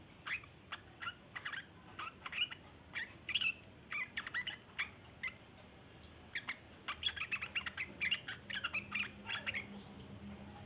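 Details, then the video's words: Sooty-headed bulbul in long chattering song, used to draw in other bulbuls: scattered sharp chips at first, then a denser, faster cluster of scratchy notes toward the end, over a faint low hum. "burung trucukan ngeriwik panjang cocok buat pancingan trucukan bahan"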